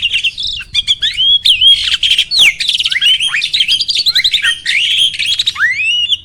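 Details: Starling song used to provoke other birds: a varied stream of squeaky whistles, chattering notes and slurred phrases, ending in a long, clear, rising whistle.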